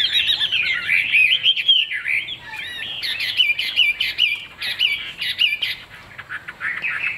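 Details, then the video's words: Chinese hwamei kept caged sings a vigorous, jumbled series of whistled phrases, slurs and harsh chirps, loud and nearly continuous over seven seconds. "Họa mi đuôi lá vả bóng bộ đẹp hót hay"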